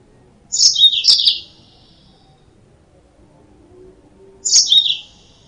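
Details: Yellow-fronted canary lure song with two bursts of high, quick chirping notes about four seconds apart, the second phrase shorter, over a faint hum.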